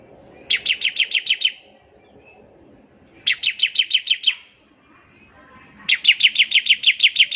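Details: Bar-winged prinia trilling in the ngebren style to get other prinias singing: three separate bursts of rapid, evenly spaced high chips, each lasting about a second, with quiet gaps between.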